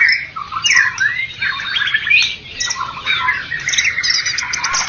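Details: White-rumped shama, a first-place competition winner from Medan and Java, singing a varied run of clear whistles, slurred rising and falling phrases and short chattering bursts, with no pauses.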